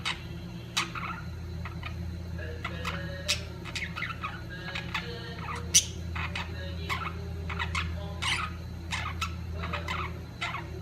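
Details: Budgerigars during mating season, calling in scattered short sharp chirps and clicks spread through the recording, with occasional faint warbling and a continuous low hum.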